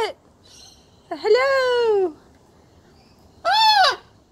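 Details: Blue-and-gold macaw kept as a pet, talking and laughing during play with its owner. Two loud, rich, arched vocal sounds, the first long and slowly falling, the second shorter, over a quiet room.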